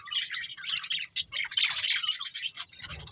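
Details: Budgerigars chirping in a dense, continuous chatter of buzzy, scratchy warbles and short squawks, several birds overlapping with only brief pauses.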